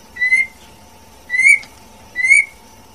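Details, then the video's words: Three clear, rising whistles about one second apart from a female white-rumped shama, each swelling and fading, over a faint steady low hum. "TIẾNG CHÒE LỬA MÁI HÓT CHUẨN MỚI NHẤT | Copsychus malabaricus"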